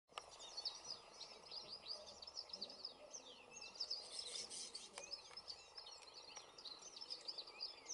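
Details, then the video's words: Several Atlantic canaries sing at once in fog on Gran Canaria, 3 December 2017: a continuous high, tinkling twitter of rapid trills and chirps that overlap without pause; faint background hiss throughout. "Canarios de monte cantando"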